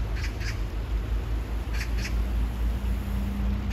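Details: Harsh, scratchy double calls from an Oriental magpie in hot weather by water: one pair near the start, another mid-clip and a third beginning at the end, set against constant low-pitched rumble.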